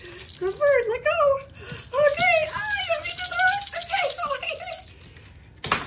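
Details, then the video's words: Moluccan cockatoo indoors sings a warbling, speech-like run of rising and falling notes, then a sudden rattle at the end; it also laughs and plays fetch with a toy rattle. "Moluccan cockatoo laughs, sings"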